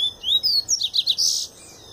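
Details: Double-collared seedeater, a bird coming out of molt, singing in the pure Tui Tui song style: high thin whistled slurs, then a rapid run of sharp chirps and a dense buzzy burst, all in under two seconds.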